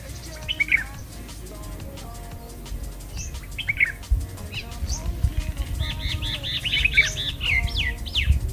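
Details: Morning bulbul song: scattered chirped notes, then a quick run of evenly spaced sharp whistles before a few closing downslurs, over constant low-pitched background noise.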